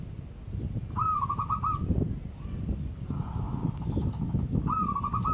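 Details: Local wild zebra dove singing vigorously: two bursts of rapid, stuttering coos on an even low pitch, each lasting under a second, the first near the start and the second at the end, over a steady low rumble of background noise.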